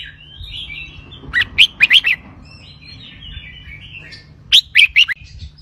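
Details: Caged red-whiskered bulbul in Thai 'bercue roi' double-linked song style: two groups of four sharp, rolling whistled notes, separated by soft chatter and background noise, with a low hum beneath.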